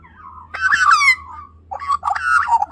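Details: A young female Australian magpie follows a person and chatters until fed, giving two bursts of harsh, wavering begging chatter, each about a second long, over a faint low hum.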